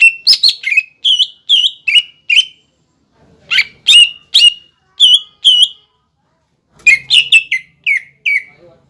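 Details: ['Cucak ijo, the greater green leafbird, singing a lure song meant to excite juvenile and freshly caught birds into song. Three bursts of emphatic whistled notes, each note slurring downward, are separated by short silences.']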